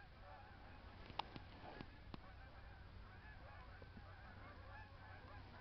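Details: Chorus of snow geese in Michigan, numerous distant honks overlapping continuously, punctuated by a few sharp clicks near the start and a low steady rumble throughout.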